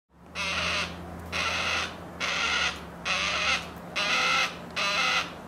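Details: A juvenile yellow-tailed black cockatoo sitting at the edge of a vegetable garden while its parents feed at a seed tray gives six harsh, drawn-out grating calls, about one per second, over a faint low hum.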